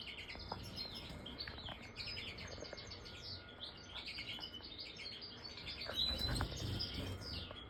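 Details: European goldfinch in continuous rapid song: dense, tinkling twitter of fast repeated chirps and trills with no pauses, over a low rumble of background noise.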